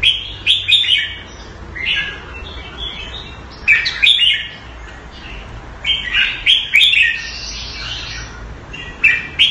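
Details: Singapore caged red-whiskered bulbul, kept Thai style, delivering clipped, bright whistled phrases separated by pauses of about a second, each burst sharp-edged and chirpy.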